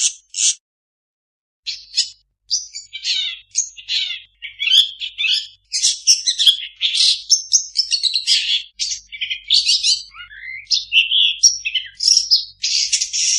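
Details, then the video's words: Long-tailed shrike song full of imitations of other birds: a rapid, varied jumble of chirps, trills, whistles and harsh notes running almost without pause. "Suara burung cendet mp3 banyak isian"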